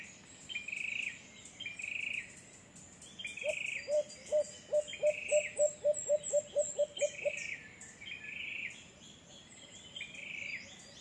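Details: White-eared brown dove in San Pablo City, Laguna: a run of about twelve low hooting notes, evenly spaced and slightly quickening, set against repeated buzzy trills and thin high chirps from other callers.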